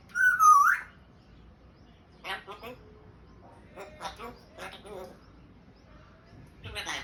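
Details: Captive African grey parrot trying to talk: a bright wavering whistle opens, followed by several raspy, speech-like syllable bursts with gaps between them.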